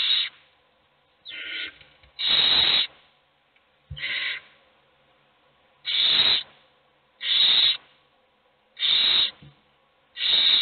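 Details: Several hungry owl chicks beg in a nest box with raspy, hissing screeches about every one to one and a half seconds, louder and softer calls alternating.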